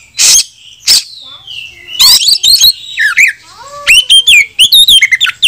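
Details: Kacer (oriental magpie-robin) challenge song calling an opponent to fight, used to make other birds spread their tails and sing: sharp bursts, a falling whistle, then a fast series of looping, warbled high whistles.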